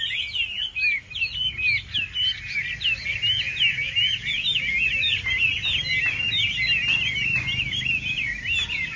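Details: A caged competition Chinese hwamei at a weekend bird gathering in Vietnam, hung somewhat far from the microphone, sings a loud, rapid, continuous run of varied whistled and slurred phrases, high and rich, over a low background rumble.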